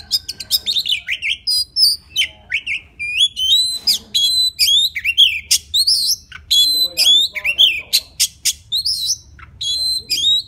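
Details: Wild Oriental magpie-robin singing to call a female: a fast, varied run of loud whistled notes, sweeping slurs and sharp chips, delivered in dense bursts with barely a pause throughout.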